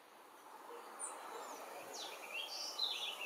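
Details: A fledgling blue-gray tanager (Thraupis episcopus episcopus) in Remire, French Guiana, on 20 September 2023 at 11:17, gives thin, high squeaky notes and a quick descending slur, building to a brief shrill twittering over a steady hiss.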